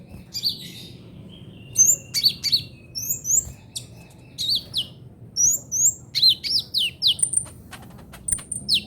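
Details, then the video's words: Ninja sunbird giving a trotol-style song used for tutoring songbirds: thin, very high chirps and downslurred whistles in quick bursts, pausing briefly, over a low steady background hum. "KICAUAN KOLIBRI NINJA TROTOL"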